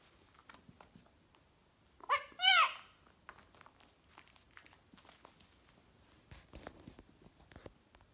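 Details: Pet male cockatoo indoors in a small room, said to have anger issues, gives one loud harsh harmonic screech lasting under a second, rising then falling, amid a person's quiet greetings and soft crinkling.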